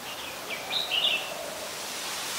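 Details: Adult Red-whiskered bulbul calling in Ubon Ratchathani, Thailand, on 16 December 2020: one short burst of bright, warbling, slurred notes lasting under a second, set against a steady hiss of background noise.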